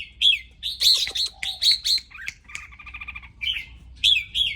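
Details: Excited red-whiskered bulbul singing: quick bubbling whistled phrases, a brief rattling run, then more bright notes, with a low hum behind.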